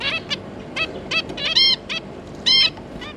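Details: Zebra finch pair with their three juveniles give short, nasal, toy-trumpet calls, about one a second, some brief and some drawn out and buzzy, from several birds together.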